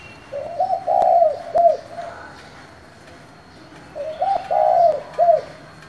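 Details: Calling spotted dove, local-type voice, used to provoke rival doves: two low phrases of quick double notes, a long rolling coo, then a short falling note, with a pause of about two seconds between phrases.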